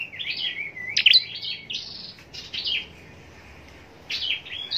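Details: Captive Scarlet-backed Flowerpecker, kept for singing contests in Long Thanh, southern Vietnam, singing a thin, high, rapid jumble of sharp chips and short twittering trills in quick bursts, pausing briefly between phrases.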